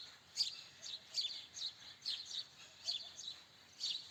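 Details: Faint, high, clipped house sparrow chirps, some in quick pairs, scattered irregularly through the recording above a quiet hissing background.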